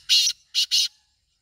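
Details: Black francolin giving three loud, scratchy, rasping notes, the first long, then a short pause and two closer notes, all within one second, with faint low rumbling underneath.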